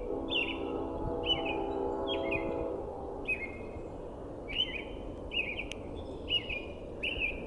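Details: A robin sings short, clear chirping phrases, about one per second, on a foggy spring morning; a low droning hum, like a distant engine, fills the first few seconds, with a train horn also present.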